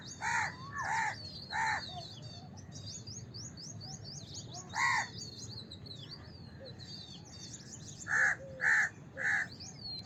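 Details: House crow cawing in short runs: three quick harsh caws, a pause, a single caw, then three more. A busy chorus of high twittering small birds continues throughout.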